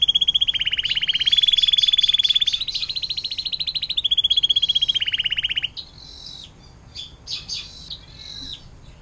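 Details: Canary in 'air mancuran' (fountain water) song used to tutor songbirds like white-rumped shama: about five seconds of fast, even rattling trill changing pitch in steps, followed by brief scattered chirps and whistles.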